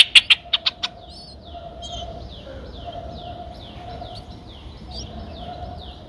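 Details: Streak-eared Bulbul nestlings, nine days old, Ubon Ratchathani, Thailand, 11 April 2023: a burst of sharp clicks opens, followed by a long run of soft, high descending peeps repeated about twice a second.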